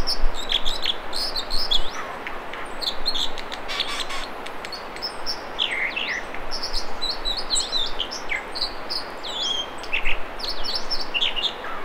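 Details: American dipper singing in the Mamquam River spawning channels near Squamish, British Columbia: varied high whistled and trilled phrases with rising and falling slurs, over the steady loud roar of rushing water.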